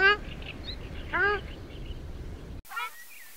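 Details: Ruddy shelduck (Tadorna ferruginea) calling: loud, nasal, goose-like honks, two drawn-out calls about a second apart, then a third slightly higher after a brief break, over faint background noise.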